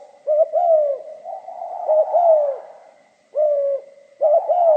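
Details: Mellow, hollow coos of a spotted dove in the 'giọng pha kim' style: twin short notes then a downward-sliding coo, repeated with brief pauses, and a steady faint tone behind.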